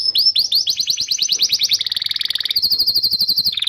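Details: Canary song used as a training recording to stimulate young canaries and birds that have stopped singing: quick rising swept notes run into a fast high rattling trill, then a shift to lower rolling notes near the end.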